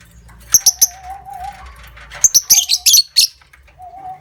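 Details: Lovebird ngekek lure sound meant to set other lovebirds trilling long: sharp high chirps, then a rapid cluster of harsh squeaky bursts, alongside a wavering low coo-like tone and soft background rumble.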